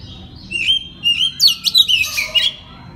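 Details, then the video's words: Oriental magpie-robin night-therapy 'ngeplong' song used as a lure so learning birds reply; sweet whistled notes sliding upward, then a run of fast, rich chattering and buzzy bursts, with a low background hum. "TERAPI MALAM KACER NGEPLONG AMPUH UNTUK PANCINGAN KACER BAHAN AGAR NYAUT BUNYI GACOR"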